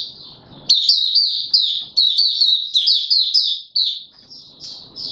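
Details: High-pitched twittering song from a caged white-eye during form training on 31 December 2021, opening its song: a fast run of sharp, slurred notes, roughly two per second, fading into softer warbles at the end.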